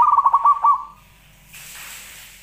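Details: Caged-style zebra dove song played as a lure for other doves: a quick burst of pulsed, rolling coos lasting under a second, then quiet before a steady hiss of background noise.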